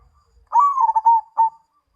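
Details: Zebra dove of the Mojopahit line singing one phrase: a drawn-out rising coo breaks into a quick tremulous roll of cooing notes, then ends on a short separate coo, clear against a quiet background.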